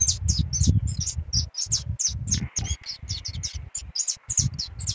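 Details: Canarinho pardo singing abundantly: quick strings of high, sharp chirps and short slurred notes, about three per second, over a thumping low-pitched musical background.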